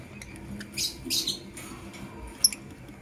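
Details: In the morning, a blue opaline and a green personata lovebird give two rough, hissing screeches back to back, followed by a sharp thin tick and soft background noise.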